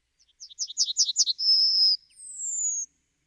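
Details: A single clear Yellowhammer phrase: about seven quick, high stuttering notes, a sustained whistle-like note, then a thinner, higher note that slides down. No other sounds.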